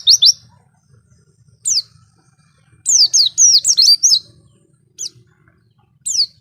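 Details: Scattered high oriental white-eye notes from an isian recording: single sharp downslurred chirps spaced apart, then a brief tumbling cluster of rapid twittering whistles, quiet gaps between.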